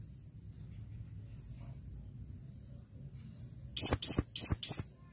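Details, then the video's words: Male blue-crowned hanging parrot calling a female, giving thin high whistles then a fast burst of four sharp, piercing chips near the end over faint low hum. "suara burung serindit memanggil panggilan"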